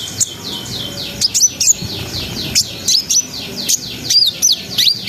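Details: Brown-throated sunbird singing to raise breeding arousal in untrained birds: a steady run of downward-sweeping high whistles punctuated by sharp, piercing chips every half second or so.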